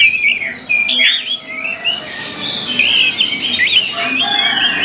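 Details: Orange-headed thrush singing, used as song-training material: sweet whistled phrases with wavering and rising notes flow one into another over steady low hiss.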